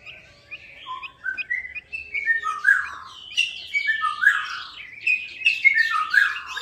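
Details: Chinese hwamei (melodious laughingthrush) song used as a lure for birds that have stopped singing: a varied string of clear whistled notes, some rising, some falling, building into faster, louder overlapping phrases toward the end.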